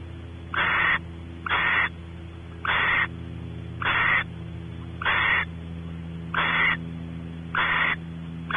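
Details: A male barn owl exploring a nest cavity at Audubon Starr Ranch, California, with the female expecting mating; eight short, rasping hisses repeated steadily about every second, over a low continuous hum.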